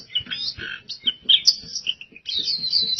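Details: Rapid high chattering warble from an oriental white-eye, with quick sliding notes and sharp chips broken by short pauses, then a sustained shimmering run of twitters. Soft background taps are audible.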